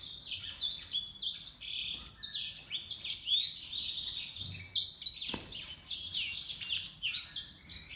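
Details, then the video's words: Hybrid of grey singing finch and canary delivering a fast, unbroken stream of high chirps, slurred whistles and trills, with brief sharp clicks in the background. "طائر الياسمين يكبس كناري grey singing finch x Canary"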